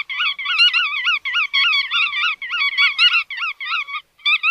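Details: Chắt đuôi vằn bird giving clusters of nasal, wavering harmonic notes in fast chattering runs, broken by short silences.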